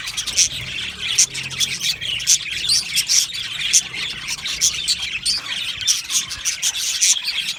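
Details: Aviary full of happy budgerigars, a continuous high-pitched chatter of quick chirps in pulsing bursts, with squeaky whistles popping out every second or so.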